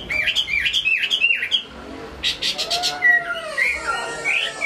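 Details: Chinese hwamei kept in a cage in Hai Phong, Vietnam, singing well: a string of looping, swooping notes, a few sharp high clicks, then a long slurred descending whistle with a warbling finish.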